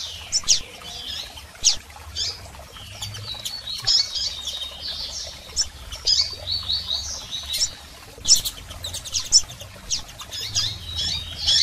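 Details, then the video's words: Female and male double-collared seedeaters calling, used to stir up a male: high, quick chirps and short buzzy trills at irregular intervals, interspersed with crisp clicks and a soft low hum. "PIADOS de Coleiros Fêmeas e Machos Para Foguear Seu Coleiro!!!"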